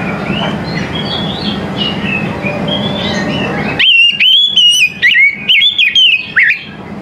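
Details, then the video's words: In the morning, an Oriental magpie-robin sings after a stretch of soft background chirps and hum. Loud, fluid whistled notes follow in a rapid run of short bursts, some sliding upward, for about three seconds. "TERAPI KACER PAGI HARI"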